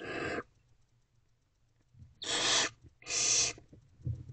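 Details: Owlets in a nest box at night, around 1:48 am, during feeding as an older owlet swallows a large piece of prey; harsh hissing screeches, three broad noisy bursts, with soft rustling between.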